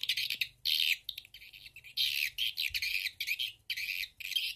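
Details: Edible-nest swiftlet calls from a stereo lure recording meant to attract swiftlets to nest houses: bursts of harsh, high chattering chirps separated by short pauses, over a faint electrical hum.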